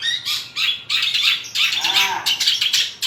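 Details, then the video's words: Long-tailed shrike in lively full song packed with varied fill-in phrases: harsh, high, scratchy bursts in rapid runs of about three per second, with short breaks and a few faint downslurred whistles. "CENDET GACOR FULL ISIAN MEWAH SUPER"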